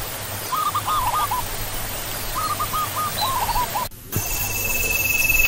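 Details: Zebra dove (Geopelia striata), or perkutut, giving two bursts of rapid stuttering coos. The sound cuts abruptly, then a steady high electronic tone and rising hiss follow.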